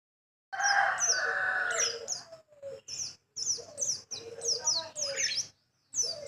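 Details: Small white-eye with a sharp, piercing voice: quick downslurred high chirps in bursts, some notes doubled, over a lower warbled tonal band, with short silent gaps between phrases.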